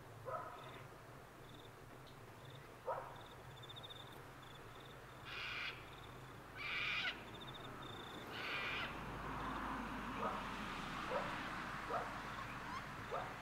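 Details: Wild sulphur-crested cockatoos at Mt Coot-tha, Brisbane, Queensland, recorded 6 November 2022 with a Canon R7, let out a few harsh, grating screeches a second or so apart, over high thin bird notes and a low background rumble.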